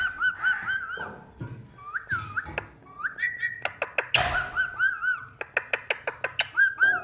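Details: Talking Indian ringneck parrot indoors: a dense jumble of whistled slurs, rising squeaks and sharp clicks, with wavering tones and quick repeated ticks toward the end.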